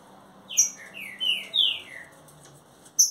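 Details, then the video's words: Caged green-winged saltator, a 30-day newcomer, singing in the mansarrão style: a strong sequence of descending whistled slurs, each note sliding from high to lower pitch, with sharp high chirps from another bird at the start and end. "trinca ferro mansarrão 30 dias já está matando tudo"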